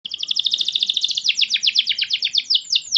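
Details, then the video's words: Energetic canary lure song, played to get pet canaries singing: a fast trill of high repeated notes for over a second, then slower, broader down-slurred syllables, each repeated about five times a second. "KENARI rumahan jadi ikut GACOR dengar SUARA PANCINGAN kenari gacor ini"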